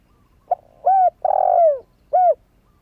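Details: Single coo phrase from a young spotted dove that has only just started calling, used as a decoy for wild doves: a short soft note, a clear coo, a long falling drawn coo, then a closing short coo.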